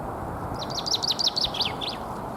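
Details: Common chaffinch singing in spring to defend its territory, Alexander Park, Pushkin, St Petersburg, Russia, 17 April 2021: a quick series of bright, descending chirped notes accelerating into a short trill, over low steady background rumble.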